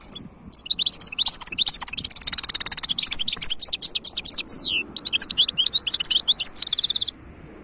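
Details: European goldfinch hybrid in full song, 2023: lively high twittering with sliding chirps, a long buzzy trilled phrase, more quick varied notes and a closing buzzy trill.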